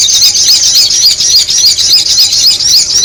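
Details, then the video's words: Rapid series of bright, slurred squeaks from noisy sogon birds in a lure recording, each note rising then dropping, repeated steadily several times a second above dense twittering. "the sound of the noisy sogon bird"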